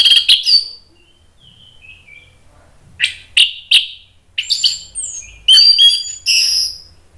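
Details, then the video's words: Orange-headed thrush, emotional and agitated, singing as a lure to provoke other birds into song: sharp loud notes, a faint falling whistle, three strong strokes near three seconds, then a dense run of bright varied phrases. "ANIS MERAH spontan EMOSI NRATAK terus NGEPLONG ¦ PANCINGAN AM ¦ TERAPI MACET"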